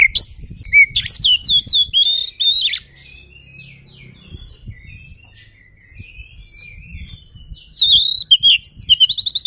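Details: Vigorous kacer song to agitate an opponent: energetic bursts of varied high whistles and rasping notes at the start, a quieter stretch of soft distant phrases, then another loud whistled burst at the end.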